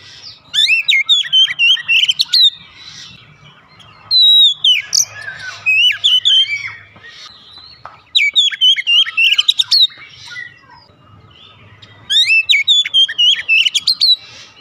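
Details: Rapid gacor-style singing of an Oriental magpie-robin, meant as daily therapy to get a silent kacer singing; four bursts of twisting, whistled phrases and sharp chips, each about two seconds, with brief gaps and a soft low hum.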